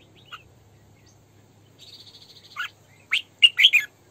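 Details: Decoy hen red-whiskered bulbul in sổ bọng căng song: a faint early chirp, a thin buzzy trill, then a rising whistle and a brisk phrase of three rich, slurred notes at the end.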